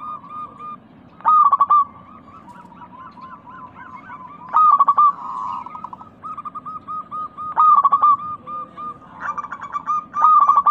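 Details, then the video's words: Several local zebra doves with a crystal-clear voice, played to coax lazy pet doves into song. Loud trilled cooing phrases return about every three seconds, separated by softer wavering coo series, with constant low background hum. "Pancingan burung perkutut lokal gacor suara kristal paling ampuh."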